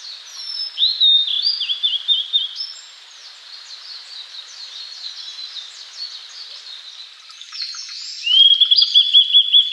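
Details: Blue-and-white flycatcher, one of Japan's three famed songbirds, singing; high whistled slurs and chatter over a faint background, ending in a rapid run of repeated clicking notes.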